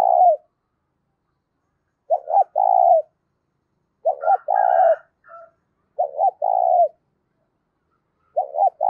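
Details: Clear, loud spotted dove song for rousing decoy doves: five low cooing phrases, each two short notes then a sustained coo, spaced about two seconds apart, with a brief higher chattering call from another bird in the middle.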